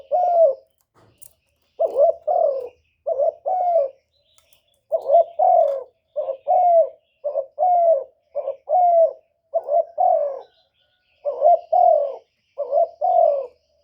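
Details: Spotted dove lure call for attracting wild doves: a long run of low, throaty two-part coos, short note then longer dropping note, repeated steadily with short pauses, about twelve phrases over fourteen seconds.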